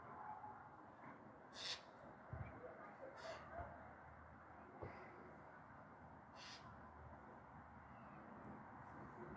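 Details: A Eurasian jay scolds from a fir tree in Meschede, Germany, on 22 September 2022, while children play below. It gives about four harsh, rasping screeches spaced a second or two apart, over distant traffic rumble.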